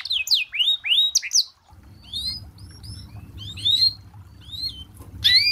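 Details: Canary song for training: a few loud swooping whistles at first, then softer scattered chirps over a low steady background hum.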